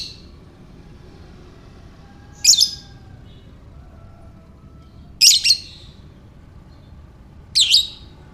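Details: Lovebird giving ngekek calls to stir other lovebirds: three brief, grating, high-pitched double chirps spaced roughly two and a half seconds apart, with soft hum between.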